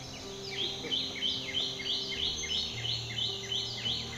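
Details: Black-rumped flameback (Dinopium benghalense), a woodpecker of the Indian subcontinent: a fast rattling series of sharp, high, downslurred notes, about three per second, running steadily throughout over a constant low hum.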